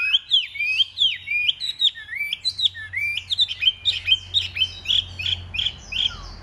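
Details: Chinese hwamei in a fighting song display: loud, rich whistled notes delivered in quick varied bursts, each phrase sliding up and down, under a faint low hum.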